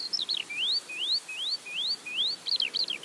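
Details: High above farmland fields in West Sussex, a Eurasian skylark sings nonstop: a run of repeated rising slurred whistles, about five in a row, framed by quick chattering twitters at start and end.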